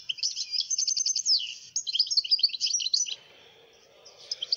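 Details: Wild goldfinch from Algeria in full song, pouring out fast, high, jangling twitters and trilled chirps in a steady stream, easing into quieter notes near the end.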